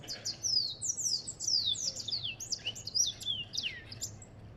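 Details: African goldfinch singing a rapid, high twittering run of sliding chirps and short trills, the notes tumbling over one another almost without pause.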